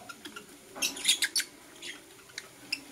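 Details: Morning lovebirds, blue opaline and parblue euwing opaline, giving a quick run of four or five piercing high chirps, then sparse softer chirps trailing off.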